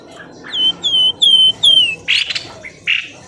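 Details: Birds lured from bushes: four clear whistled notes, each gliding slightly downward, followed by two harsh rasping bursts.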